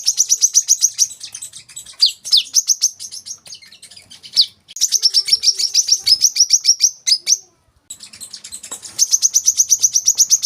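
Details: Olive-backed sunbird song for training caged birds: long, rapid, very high trilled phrases of even repeated notes, with a few sharp down-slurred notes, broken by short pauses.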